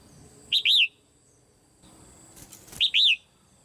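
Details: In a cage, a female red-whiskered bulbul calls to prompt other birds to sing: two phrases, each a short chirp followed by a longer arched, whistled note, about two seconds apart.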